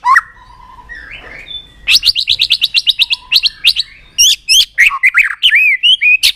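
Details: White-rumped shama, a bird trained to sing many voices, singing a fast series of sharp repeated chirps, then varied whistled and slurred notes, loud and lively throughout.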